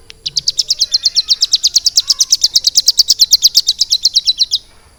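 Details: High, sharp notes stream out almost four seconds from a caged hill prinia trained for some three months to sing lovebird-style filler, a fast regular chatter that stops suddenly.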